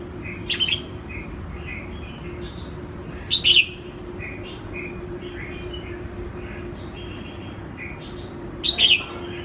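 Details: Red-whiskered bulbul tamed within a week and bold around people, singing brief sharp whistled notes roughly every three to five seconds, with faint softer chirps between and constant low hum.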